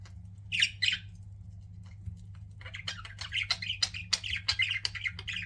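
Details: Indoor pet budgerigars give two loud squawky chirps, fall quiet for about two seconds, then break into a quick run of repeated chattering chirps, with a low hum underneath.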